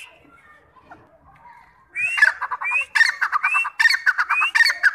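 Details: Grey francolin, known locally as teetar, calling: after a quiet start, loud harsh rising notes mixed with rapid clucking pulses, repeated in a rhythmic phrase over about three seconds.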